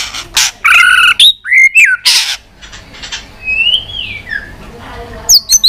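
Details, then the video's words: White-rumped shama in fighting song: harsh buzzy bursts and sharp whistles, then a long soft descending whistle, ending with quick bright chirps. "kích Chòe Lửa hót đấu căng lửa.chòe Lửa hót giọng dài"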